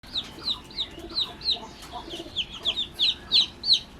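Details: Newly hatched domestic chicks peeping: high, downward-sliding notes, about three each second, some overlapping, with faint lower chirps in the background.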